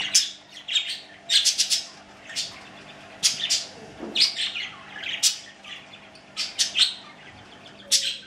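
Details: Two male budgerigars chatter with bursts of bright, scratchy chirps and warbles, repeated in quick irregular runs.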